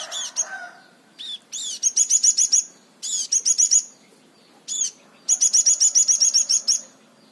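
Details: Crimson sunbird in the unusual 'tembakan' song style: loud, high, shrill trills fired in several rapid bursts of repeated notes, broken by short pauses and single sweeping chirps.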